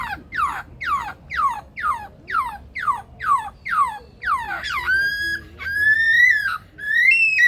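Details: Male Superb Lyrebird in the Australian Rainforest Aviary at Adelaide Zoo, South Australia, a captive mimic of other birds, car alarms, ringtones and machinery. Delivers about nine sweeping descending whistles, roughly two per second, then sustained laser-like electronic tones.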